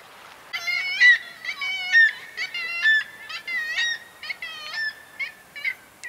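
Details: Black-legged kittiwakes, wild breeders on the coast of Møre and Romsdal, Norway, in mid-May: loud nasal, harmonic wailing calls rising and falling, overlapping in rapid series about once a second, with a quiet background.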